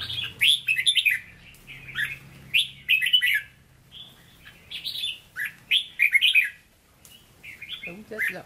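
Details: Hue-style song (giọng Huế) from a caged red-whiskered bulbul: lively runs of rich, fluty, warbling notes in short phrases with brief gaps, mixed with sharp ticking clicks and a soft low hum early on.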